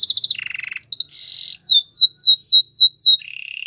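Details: Canary training song with quick changes of tour: a high pulsed trill, a lower rattle, a buzzy held note, then a string of falling whistled sweeps and a soft low trill at the close.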